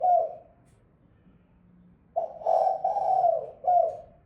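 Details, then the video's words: Female spotted dove calling: soft mellow coos, one short coo at the start, then after a pause a run of connected cooing notes and a final short coo, in a quiet indoor-sounding setting. "Chim cu mái"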